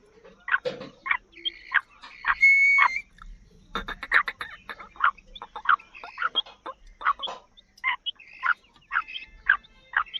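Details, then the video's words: Female Black francolin calling to attract and excite males and to prompt wild francolins to call: a series of short clucking notes, about two a second, with a few higher, squeaky notes mixed in. "کالی مادی کی ایسی خوبصورت آواز جسے سن کر آپ کا تیتر ہوجاۓ فل مست |جنگلی تیتر بھی بولنے پر مجبور"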